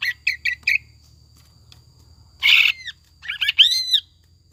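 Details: Greater green leafbird singing a ngekek jamtrok lure song with tengkek buto imitations: four clipped chirps, a rough raspy burst, then a tumbling run of bright, curved whistles.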